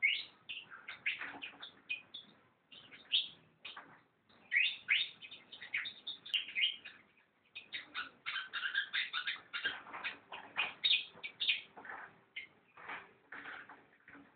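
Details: Fantail sings a long run of quick, high chirping and twittering notes in irregular bursts with brief pauses, bright and busy throughout.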